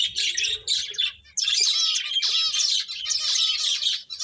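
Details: Loud, continuous finch chirping while playing, buzzy trilled twitters with a high whistled undertone, one brief pause after the first second.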